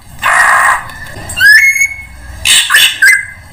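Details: Drongo sound used as a lure for every kind of bird. A broad buzzy burst is followed by a clear rising whistle that levels off, then harsh chattering notes and a short final upslurred whistle.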